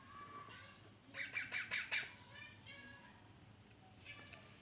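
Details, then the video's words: Young parrot giving a cluster of about five rapid, high chirps in the middle, with softer scattered tweets before and after over steady low background noise. "baby parrot chirping sound"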